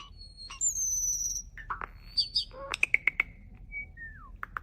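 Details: A mimicking starling said to sound like a human runs through a quick jumble of thin whistles, clicks and warbled, speech-like phrases, with sharp ticking notes and slurred falling whistles near the end.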